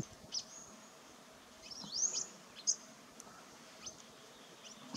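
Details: Pin-tailed whydah in the Bale Mountains, Ethiopia, giving thin, very high chirps, some sharply rising, scattered irregularly over a few seconds against a soft background hiss.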